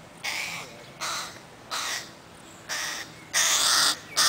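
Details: Crow chicks that won't leave their mum, Helsinki, Finland, 20 July 2011: six hoarse, buzzy caws at a fairly even pace, the last two louder and longer.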